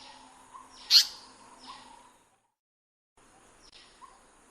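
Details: Indian paradise flycatcher in breeding habitat: a single loud, sharp, harsh call, then faint chirps and soft low whistles, with a brief silent gap.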